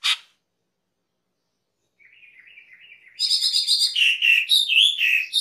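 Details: Cucak keling (Black-winged myna) master recording for training cage birds, full lively song: a thin warbled phrase, then loud rapid chattering and whistled notes repeated about four per second, a sharp chip at the start.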